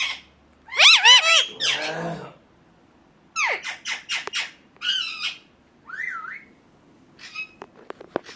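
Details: Indian ringneck parakeet: a loud cluster of rasping arched squawks, then scattered shorter notes and a softer wavering whistle-like call, with clicks near the end.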